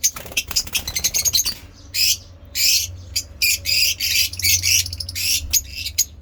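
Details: Caged African lovebirds of mixed colour mutations, kept as pets, chattering in the ngekek style around feeding: a run of sharp clicking chirps, then loud, harsh, buzzy bursts about half a second long, repeated with short gaps.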